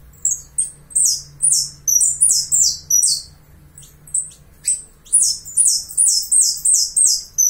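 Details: Loud, close Uruguayan saffron finch song of high chips and rapid downslurred sweeps, a short pause midway, then a renewed run of sweeping notes.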